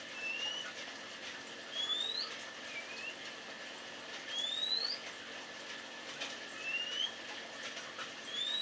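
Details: Male magpie-robin calling to a female: thin, clear whistles rising upward, repeated about every one and a half to two and a half seconds, over a steady hiss of background noise.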